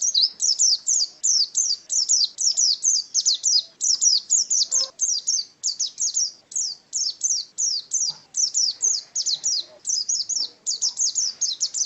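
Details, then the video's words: White-eye (pleci), a caged pet contest bird, singing a rapid high chirping song of short descending notes, about two to three per second, steady throughout with faint low background noise. "Birds Chirping Pleci Master Joss Chirps"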